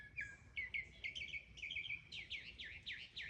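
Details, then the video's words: Mimicking mockingbird singing a run of quick chattering notes, then switching to a series of loud, swooping downslurred whistles repeated about six times. "Mimicking bird | Mocking bird | Beautiful sound"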